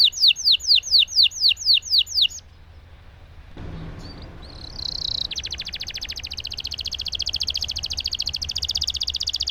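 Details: Canary singing a long roll for stimulating silent canaries: a string of loud descending swept notes, a quiet gap with background noise, then a softer, sustained fast trill.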